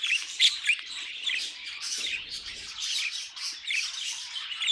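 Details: Budgerigars singing as pets, with squeaky whistled chirps and scratchy twitters. A brief low rumble sounds midway through the steady chatter.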